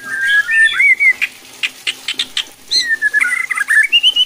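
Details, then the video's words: White-rumped shama song used to provoke other shamas into singing more aggressively: clear whistled phrases sliding between low and high notes, broken by a run of sharp rapid clicking notes mid-phrase, then rising whistles again. "bikin MURAI BATU LAIN JADI GACOR EMOSI,,MUNTAH ISIAN"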